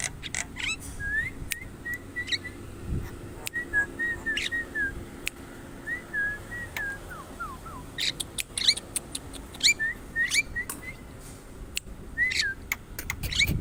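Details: Javan myna giving scattered short whistled notes, some in quick pairs, mixed with sharp harsh bursts and a few quick descending slurs, against a steady low background hum.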